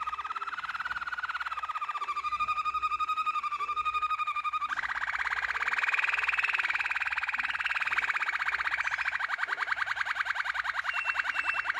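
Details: Yellow Waterslager canary singing sustained rapid rolls, a lower pulsed trill that shifts to a higher, fuller bubbling roll after a few seconds and carries on at a brisk, even rate.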